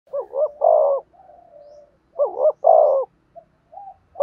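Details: Spotted dove calling for training decoy birds: two clear coo phrases, each a quick double rising note followed by a long falling coo, with soft low cooing murmurs between them.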